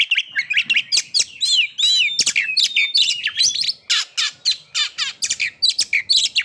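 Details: White-rumped shama, a cage bird, singing energetically to stimulate breeding condition and aggression: loud, fast, varied whistles, buzzy trills and harsh chips in tight bursts across the whole stretch.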